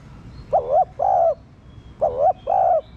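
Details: Two cooing phrases from a spotted dove, played to stimulate captive birds; each is a short wobbling coo then a longer even hoot, about a second and a half apart.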